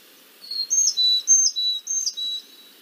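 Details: A Carolina Chickadee, a year-round resident in north and central Florida, gives one of its signature calls: clear, high whistles alternating higher and lower notes in a quick series of about three pairs.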